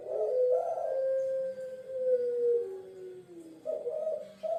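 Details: Puter pelung dove, a bird of Java once kept by kings, coos in a long, steady tone that slowly sinks in pitch, then two quick warbled coos.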